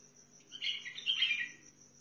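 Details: Bulbul of the local Sihani kind from Al-Faw, Basra, singing a warbled, slurred phrase of about one second, rising and falling in the middle of the clip, over a faint steady high tone.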